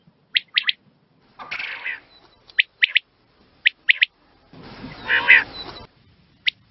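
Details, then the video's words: Quail calls played for hunting: short high chirped notes in quick groups of two or three, broken by two longer harsh, raspy squawking bursts, with a final lone chirp. "Quail sound"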